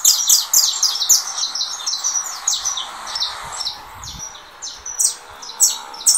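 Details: Saffron finch, 'russo' song type, leaving molt and singing in contest with a recording on another phone; dense rapid stream of high chirps and slurred notes, slowing into separate bright phrases.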